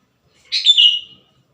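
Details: Lure recording of a singing sooty-headed bulbul, meant to attract wild bulbuls and make kept birds sing quickly: a single clear, bubbly whistled phrase that wavers and then glides down, set against near silence.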